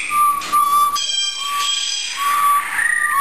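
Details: Captive blue jay, a research bird in a university lab, giving clear, steady whistled notes of even pitch, three drawn-out tones in a row, with a brief rising slur near the end and some faint airy background noise.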